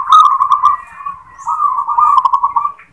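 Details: Local zebra dove performing the "klar ketek kuk" song: a continuous rippling, staccato cooing trill held at a steady pitch, briefly pausing near the middle before resuming, over quiet low background noise.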